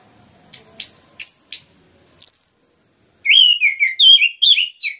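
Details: Orange-headed thrush, a kept songbird, singing a lure recording meant to stimulate other birds to sing: four sharp high descending notes, a drawn-out whistle, then a rapid varied run of warbled, slurred phrases.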